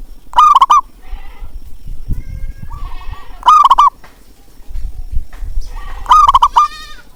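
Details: Zebra dove call played to spur quiet doves into song: three loud, rapid stuttering coo phrases, each answered by a quieter rolling coo in the gaps, over soft low background noise.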